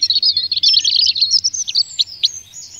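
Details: Common chaffinch singing a short burst of rapid high trilled notes that run together, then a few separate sharp notes toward the end; a faint low hum underneath.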